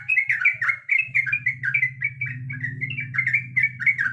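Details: Female sooty-headed bulbul calling for the male, giving a steady string of quick, clear, down-slurred whistled notes at a lively pace, with a continuous low droning hum underneath.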